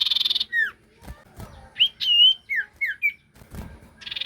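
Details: Lively ashy tailorbird song played as a lure: a buzzy trill tail, then clear whistled notes, some rising and some falling, broken by low thumps, and a new buzzy trill starting at the end.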